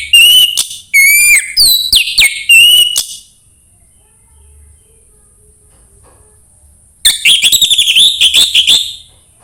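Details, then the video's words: Orange-headed thrush song played to encourage another bird to sing: loud, varied whistled phrases with sliding notes and rapid trills in two bursts separated by about four seconds of silence. "anis merah sulit gacor coba PUTAR suara burung ini"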